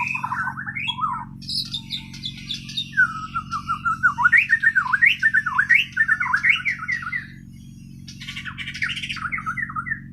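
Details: White-rumped shama of the Borneo form from Kalimantan, singing its natural song learned without tutor recordings: rich varied phrases of whistled, swooping notes, rising and falling rapidly in a continuous stream, with a steady low hum beneath.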